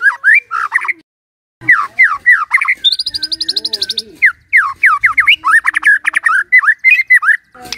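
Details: White-rumped shama singing energetic phrases of rapid slurred whistles, with a fast high buzzy rattle in the middle and a brief silent gap near the start.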